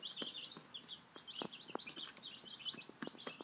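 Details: Baby chickens five days old at feeding time, giving rapid high-pitched peeps in an unbroken chatter while beaks knock on the feeder.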